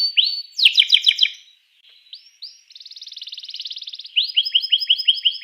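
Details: Canary song intended to set rival canaries singing: rising whistles, a burst of sharp stuttering notes, a soft pause, a long buzzy trill, then quick repeated upslurred chirps.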